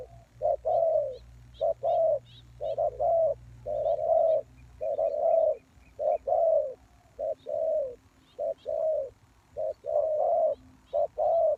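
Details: Spotted dove cooing as a lure for wild doves, a long run of loud short-long coo pairs about once a second, with scattered high chirps of other small birds.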